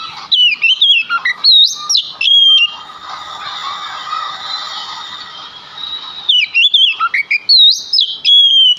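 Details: Male Oriental magpie-robin singing as a lure for other magpie-robins: sweeping whistled notes, then several seconds where a rough, buzzy background sound takes over, then more sweeping whistles.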